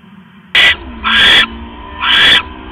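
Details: Owl at a nest box at 3:40 AM on October 5, 2015, as the male brings another rat; three harsh, hissing, noisy calls, the later two longer and drawn out, over a faint low hum.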